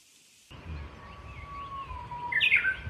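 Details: Japanese bush warbler at a shrine holding one long, slightly wavering whistle before a short, bright flourish at the end, against soft outdoor background noise.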